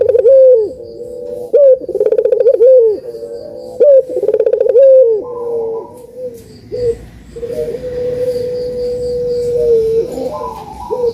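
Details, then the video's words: Dove song used to get lazy doves calling: three loud phrases of rolling pulses ending in drawn-out coos, followed by quieter long, level coo notes from another dove in the background. "COCOK BUAT PANCINGAN BURUNG PUTER YANG MALAS BUNYI"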